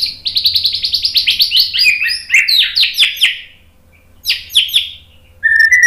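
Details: White-rumped shama singing a 'tembakan' lure: a long, quick string of about twenty high, clipped notes descending in pitch, a brief pause, a short twittering burst, then a clear whistle at the end.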